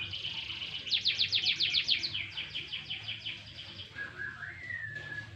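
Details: Canary set out for a light sunbathing, singing a fast, high trill of evenly repeated notes, then thinner warbling and a short, lower whistled note that rises and levels off near the end; a faint low hum runs underneath.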